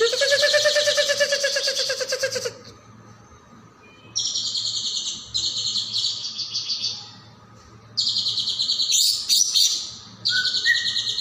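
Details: Training song of a lively caijo (golden-bellied gerygone): a long dense high trill with a lower whistled line beneath, then repeated bursts of shimmering high trilling and a closing short whistle.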